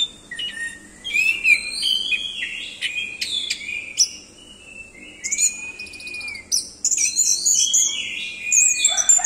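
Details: Orange-headed thrush singing a fast, jumbled medley of clear whistles, buzzy trills and sharp clicks in bursts about four per second, some phrases mimicking other calls.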